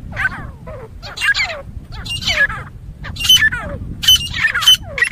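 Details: Grey francolin, a fighting call valued for hunting, given as a series of harsh, rising squawky notes roughly once a second with downward-sweeping tails, over a low rumbling background.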